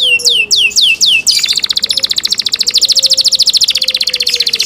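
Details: Canary song in cenkok style: a few falling whistled sweeps leading into a long, very fast rattling trill, with a faint low whistle in the background.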